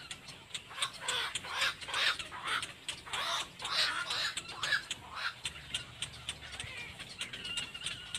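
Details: Little black cormorant, a mother with her baby; rapid, harsh, squawking notes repeated about twice a second in uneven bursts, with thin high tones running through the background.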